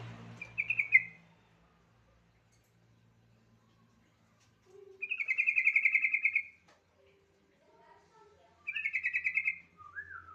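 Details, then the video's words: Yellow-vented bulbul giving lure song to prompt other bulbuls to sing. Three bright bubbly, rapidly pulsed phrases come several seconds apart, the middle one longest. Soft lower notes are heard between them in an otherwise quiet setting. "Suara pancingan AMPUH burung trucukan bahan"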